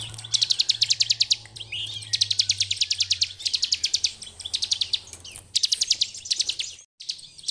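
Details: Ngebren-style master song of a bar-winged prinia for training birds: fast, ticking, high-pitched trilled bursts repeated about five times in quick succession, separated by brief gaps, with a steady low hum beneath and a short silent drop near the end.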